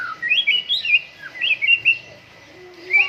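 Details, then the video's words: During morning dew airing, a white-rumped shama sings clear, high whistled phrases that warble up and down in quick groups, followed by a brief pause and a closing rising note. "MURAI BATU GACOR, PROSES BURUNG MURAI PENGEMBUNAN PAGI"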